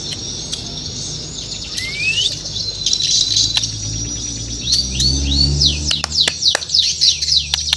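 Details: White-rumped shama (murai batu) from Borneo singing in the morning: a rising whistle, then a burst of quick high arched and down-slurred notes in the second half, over a steady low hum.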